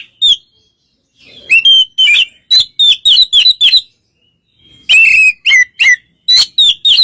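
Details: Relaxed white-rumped shama song meant to make a less excited shama reply; bursts of sharp whistled notes, several bending downward, in quick runs broken by a silent gap.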